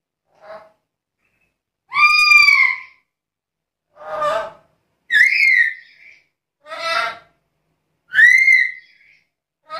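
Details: Chatty, vocal black-capped lory, kept as a lure and master recording for teaching other birds. Strong, rising-then-falling nasal squawks alternate with rougher scratchy bursts, spaced about a second apart, with silence between and no other sounds.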